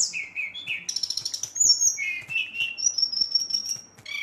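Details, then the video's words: Brown-chested jungle flycatcher singing at night to stir up rival birds: low whistled notes, a buzzy rattle, then a long level high trill. "Sikatan Rimba Dada Coklat ngamuk memancing emosi srdc lain"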